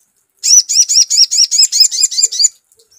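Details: Sogon song played as a lure: about nine evenly spaced high, upward-sweeping notes in a quick two-second series, bright and clear, then silence.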